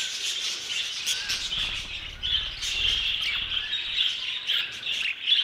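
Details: Violet mutation budgerigars, captive, chattering steadily in high warbling and chirping phrases, with brief sharper tweets and a soft low rumble in the background partway through.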